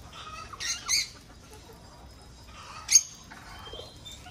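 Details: Lovebirds in a breeding aviary: sharp, shrill, high chirps in a short cluster near the start, then one piercing squeak about two seconds later, with quieter chatter and a faint steady hiss behind.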